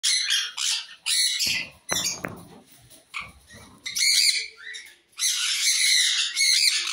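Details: Sun conures at a pet shop in Madurai, Tamil Nadu, India give harsh, grating screeches in loud, ragged bursts, broken by a brief pause with faint knocks.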